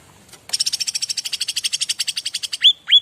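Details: Bar-winged prinia used as a master song to prompt other birds to answer: a long, fast run of about twenty high, evenly spaced chipping notes, ending in two loud upslurred whistled notes.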